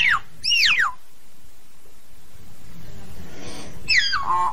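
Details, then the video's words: Common hill myna calling its flock, giving a pair of sharp falling whistles at the start, a quiet pause, then a bright descending whistle ending in a lower buzzy note, with constant low hum behind. "Tiếng Nhồng hót, tiếng Yểng hót gọi bầy"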